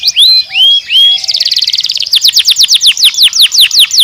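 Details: Canary singing loud and close: three clear rising whistled upslurs, then a fast buzzy trill of even notes, then a run of quick descending whistled sweeps repeated about three per second.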